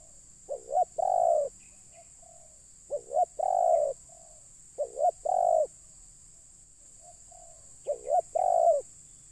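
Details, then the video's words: Spotted dove cooing to bring wild birds down: four evenly spaced phrases, each two short rising notes leading into a long mellow coo, with quieter short coos between, and a constant high hiss. "Mikat Terkukur..ll Keren kalau Burung liar Sudah Turun"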